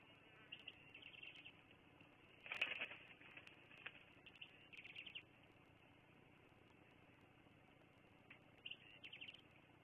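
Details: Afternoon at Fraser Point, 18 October 2022, bald eagles utter thin, high, rapidly repeated chittering notes in short series, with a brief thump or flap and a steady low hum underneath.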